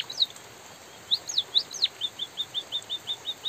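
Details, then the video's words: White-headed munia singing against drizzling rain: a few high swooping whistles that rise then fall sharply, followed by a steady train of short, identical high chirps about four per second. "suara burung emprit pipit bondol kaji gacor jeda natural dan suara hujan"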